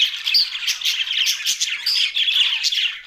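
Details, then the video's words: Several budgerigars calling together in a short burst of rapid scratchy squawks and thin whistled notes over a dense warbling chatter. "Budgies Australian parrot sounds"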